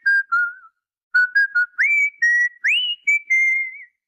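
A cockatiel gives a run of clear whistled notes, some steady and some sliding upward.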